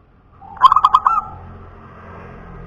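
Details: Local punden-type perkutut, or zebra dove, giving a rapid burst of five staccato cooing notes that ends in a slightly longer, rounded coo. The phrase is loud and clear against faint low background noise.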